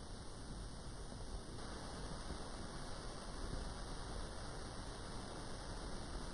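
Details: Low rumbling noise like wind or distant water fills the whole recording, with no animal calls heard.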